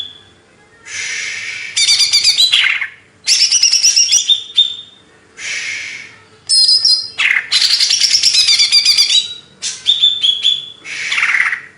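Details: Greater green leafbird from Banyuwangi, Indonesia, singing in repeated bursts: harsh buzzy phrases mixed with rapid high twitters and clear whistled notes, several phrases over twelve seconds with short silences.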